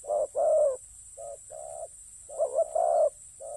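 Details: Low cooing of a spotted dove used as a ground decoy: a loud double coo, then soft short notes and a longer wavering coo, all in a quiet setting with a faint constant high hiss.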